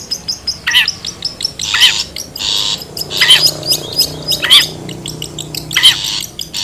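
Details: Wild long-tailed shrike used for luring birds: descending buzzy calls repeated about once every 1.2 seconds, alternating with noisy rasps and high twittering notes.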